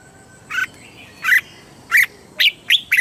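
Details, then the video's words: Red-whiskered bulbul from Thailand, southern master-song style, played to excite and teach caged birds: five loud, bright, slightly rasping single notes spaced about half a second apart, with faint thin whistles behind. "เสียงนกกรงหัวจุก สำหรับต่อ หรือ เปิดให้นกคึก"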